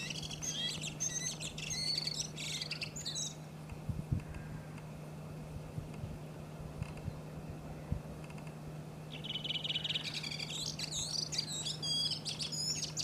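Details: A redwing in Iceland in April sings two bursts of high, varied twittering phrases, at the start and again near the end, over a steady low hum with a few dull thumps.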